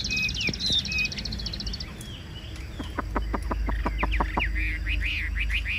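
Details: Caged Chinese hwamei kept as a songbird, singing well: a fast high buzzy trill, then sharp downward-sweeping notes, a burst of rapid clicks, and looping whistled phrases repeated over low background rumble.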